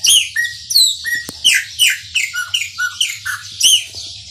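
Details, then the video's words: Energetic chopi blackbird song in the maranhãozinho style, dense strings of loud whistled notes, quick sweeps and clicks tumbling one after another, with a faint background hum. "PÁSSARO PRETO MARANHÃOZINHO CANTA MUITO"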